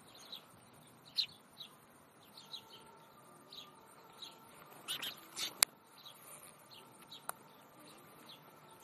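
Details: Lively flock of house sparrows at a zoo display window in Leipzig, Germany, in a city where the species is still numerous; short high chirps repeat irregularly over a quiet background, with a few louder sharp clicks midway.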